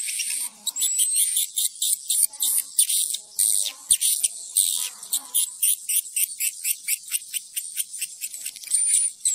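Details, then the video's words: Playback meant to draw swiftlets to roost in a building: a long run of rapid high-pitched clicks and chirps in steady pulses, with a thin whistle at the start and another near the end. "Suara panggil burung wallet menginap"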